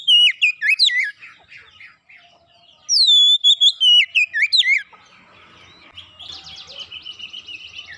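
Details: Oriental magpie-robin song used as a lure to get birds singing: a loud burst of clear, sliding whistled notes with sharp downward swoops, repeated after a pause, then fainter buzzy chatter.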